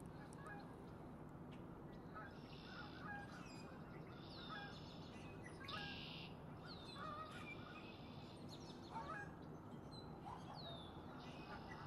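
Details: Early on a frosty morning at Kristina Kiss Park, Kanata, a male red-winged blackbird calls and displays, giving short buzzy, trilled phrases every second or two over steady low rumbling noise, with a few honking calls in the background.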